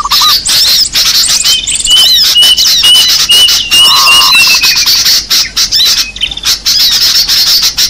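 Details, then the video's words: Small birds in a lure recording, giving nonstop high-pitched chatter and squawks, thin whistles, and one rapid burst of lower notes midway. "Suara pikat burung kecil"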